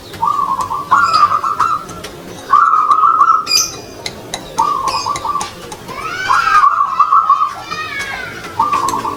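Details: Captive zebra dove (perkutut) being assessed as a song-contest bird: soft, trilled cooing phrases near one pitch, repeated every couple of seconds, with faint high chirps and a man's voice in the background.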